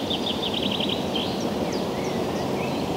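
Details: Eurasian oystercatchers foraging give a quick run of shrill, piping notes for about a second, then scattered thin whistles, over steady background noise.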